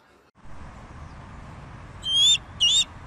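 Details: Bald eagle calling: after a quiet start, three loud high piercing notes, each slightly wavering and bending upward, come in quick succession in the last second against a faint steady background hiss.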